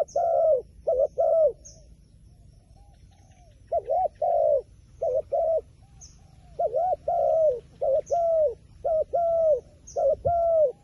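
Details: Repeated cooing from a wild pigeon. Each phrase pairs a quick wavering note with a drawn-out falling coo, about one phrase a second after a short pause. Thin high chirps of other birds sound now and then.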